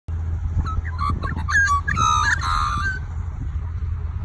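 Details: Male Australian magpie giving a rich, warbling run of fluting notes and gurgles over about two seconds, against a steady low rumble of background noise.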